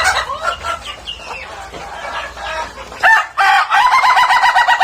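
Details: Ayam Ketawa rooster with faint murmuring background sounds at first, then a loud laughing crow of rapid, evenly spaced staccato notes over the last two seconds.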